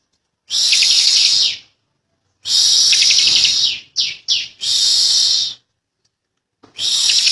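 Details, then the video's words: Bar-winged prinia youngster from Indonesia in persistent ngebren-style singing: three long shrill buzzing phrases, each over a second, with quick stuttering chirps between them and clean silent gaps. "Ciblek Kali | Cikal Super Ngotot Ngebren Rapet Panjang"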